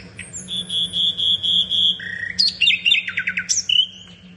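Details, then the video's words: Common nightingale song: long pure whistled notes repeated about six times, then a low held tone and a rapid run of loud descending and rising phrases ending on a whistle; constant low hum in the background. "reclamo de ruiseñor común. RUISEÑOR COMUN CANTANDO"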